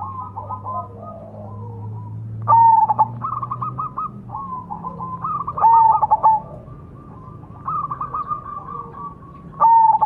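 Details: Majapahit zebra dove singing a lure song to draw birds in: rapid trilled, stuttering phrases ending in a clear whistled note, repeated every three seconds or so over a low steady hum.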